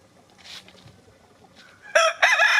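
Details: In the snow, a rooster struts among hens pecking about in the cold. A loud, harsh crow bursts in after quiet shuffling, starting with a short choppy note and running on in a strident, ragged phrase.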